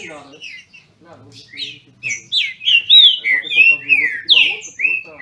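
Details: Green-winged Saltators bred in captivity in Brazil, singing against each other: quiet broken notes at first, then a loud sequence of full, sweet whistles with sharp downward slurs.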